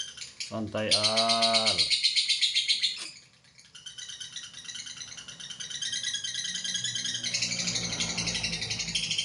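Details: Lovebird's long ngekek trill, a high rapid rattling chatter, opens alongside a brief lower voiced sound and a sharp click, dips quiet, then returns as a steady pulsing buzz.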